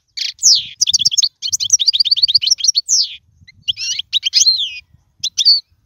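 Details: European goldfinch singing a recording for teaching chicks: descending slurred note, then a fast rattling series of twittered syllables, a gap, and further bubbly chirps and trills.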